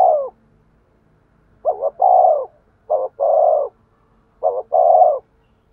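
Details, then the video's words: Cooing of a spotted dove used to stimulate a male: a coo tail, then three evenly spaced phrases, each a stuttered short note and a longer deep rolling coo. "tiếng chim cu gáy thúc gù, tiếng chim cu gáy kích bổi"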